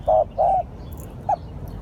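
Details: Spotted dove call used as a lure: two loud, low, hollow coos in quick succession, then a short clipped final note after a pause, over a quiet background hum.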